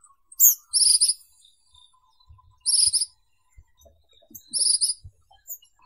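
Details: Ashy minivet: high-pitched, buzzy metallic trills, three short bursts spaced about two seconds apart, with faint low knocking sounds beneath.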